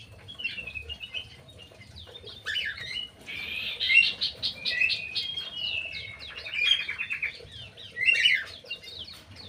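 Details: Crewet in captivity in an aviary pours out a lively, jumbled sequence of high chirps, trills and slurred whistles, loudest in the middle of the phrase.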